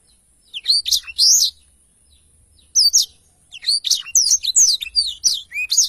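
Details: Black-throated canary song used to tutor songbirds: a few loud whistled notes, a pause of over a second, then a lively run of high chirps and slurred whistles.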